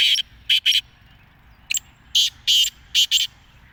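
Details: Loud, scratchy black francolin (kala teetar) call: paired grating notes repeated in short groups, with a brief thin note in between, sharp and clipped against a still background.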